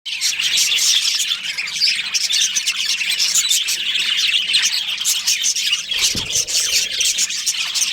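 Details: Budgerigar breeding pair in a budgie colony, chirping continuously: a dense, busy chatter of high twittering notes from many birds, with a brief low thump near the end.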